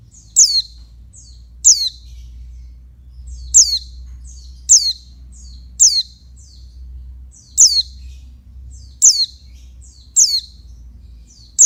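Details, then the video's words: Female oriental white-eye calling to stimulate males: sharp, high, down-slurred chirps, each falling steeply and followed by fainter trailing notes, repeated irregularly about every one to two seconds over a quiet low hum. "Suara burung pleci betina untuk ngecas jantan"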